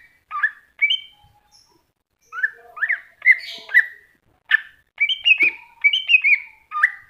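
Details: Greater green leafbird singing masteran phrases: separated chips and rising whistled slurs that build into a dense, fast sequence of looping, warbling notes near the end.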